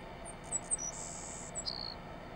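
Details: Savannah Sparrow at an airport in Dorval, Quebec, Canada, on 30 April 2015: a few very high, thin ticking notes lead into a long insect-like buzz, then a lower buzzy ending, faint above steady background hiss.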